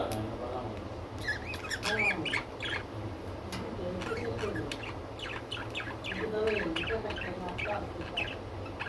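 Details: Pet budgerigars, several birds, giving quick, sharp chirps and short warbling chatter scattered throughout, some notes clustered in bursts, over a steady low hum, with faint murmuring in the background.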